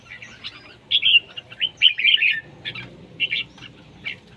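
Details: Competition singing of red-whiskered bulbul: clusters of lively warbled notes, strongest in two bright phrases early on, followed by spaced single chirps.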